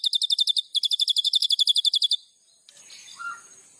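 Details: White-rumped shama singing a fast, even run of high chipping notes, about four per second, pausing briefly then continuing for two seconds before quieter mixed notes.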